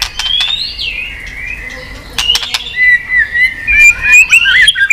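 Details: White-rumped shama stimulated to sing, flicking its tail. Clear wavering whistles that slide high then settle into rising, warbled phrases, with a few dry clicks early on.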